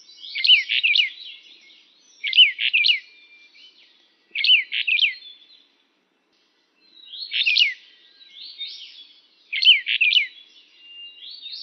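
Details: Pyrrhula nipalensis uchidae, the Brown bullfinch, giving rapid bunched call notes. Short clusters of twisting, high chirps come about every two seconds, five groups in all, with a short silence midway.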